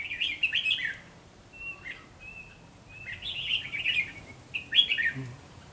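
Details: Dueling song of red-whiskered bulbuls as a decoy bird is set out to trap wild ones: loud warbled phrases, a few thin level whistles in between, then another burst of rich chirps.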